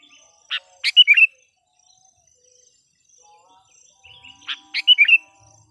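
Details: Trained kutilang pikat, a sooty-headed bulbul decoy for luring wild birds, gives two brief phrases of a sharp chip followed by quick, liquid notes, about four seconds apart.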